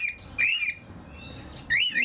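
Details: Charlie, a male cockatiel kept in an aviary among several cockatiels that sing to each other, whistles in short warbling phrases that rise and fall, three bursts in two seconds, over a faint background hum.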